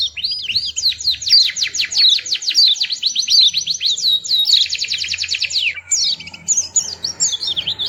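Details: Small white-eye singing sweetly: long runs of rapid, high, sharply rising notes forming buzzy trills, then slurred whistled twitters toward the end.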